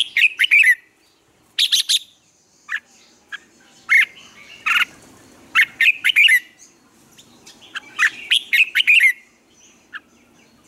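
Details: Red-whiskered bulbul giving its morning training song, harsh squawky chirps mixed with clear whistled notes, repeated in loud bursts roughly every second or two.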